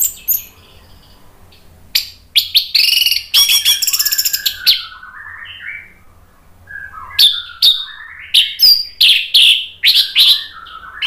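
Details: Lure recording of an orange-headed thrush singing: a loud cluster of scratchy high notes, then a meandering descending whistled phrase, and finally a lively series of bright, repeated chirping notes in quick succession.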